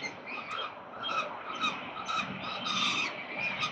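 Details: Peregrine falcons at a nest in Melbourne, Australia, 13 November 2022, call again and again in rough, whining notes about every half second, with clear tonal bands and a low city drone behind.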